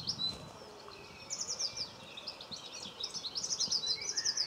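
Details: Common linnet close by in a Cornwall garden on 26 November 2015; short buzzy trills of fast high twitters come in clusters through the second half, over faint background noise.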